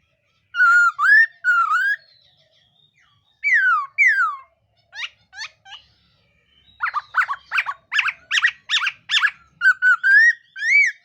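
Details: Morning voice-training song of a black-throated laughingthrush: paired slurred whistles, falling sweeps, then a rapid series of about ten short clipped notes ending in rising whistles.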